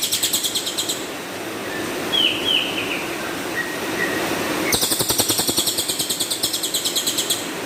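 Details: Rough 'shot'-style cililin song kept as a master recording: a short burst of harsh high pulses, then a few thin whistled and slurred notes, then a long run of rapid buzzy pulses, about six a second, over a faint low hum.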